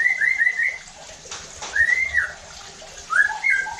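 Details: Shama lure song aimed at raising rival shamas' aggression: a quick string of whistled notes, a long arched whistle after a brief noisy patch, then rising whistles at the end.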